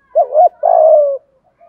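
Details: Spotted dove song phrase in 'giọng thổ' voice: a rounded two-beat coo leading into a long, level, slightly falling throaty coo, heard close and clear against silence.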